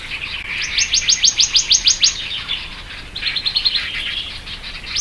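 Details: A fast ringing series of about ten sharp rising notes from a Black-naped monarch (Hypothymis azurea oberholseri), followed by a quieter, lower twittering run and the start of another loud note at the end.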